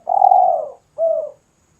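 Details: Spotted dove singing often, a recording for luring birds and song training: two mellow, hollow coos, the first long and slightly falling, the second shorter, against a quiet background.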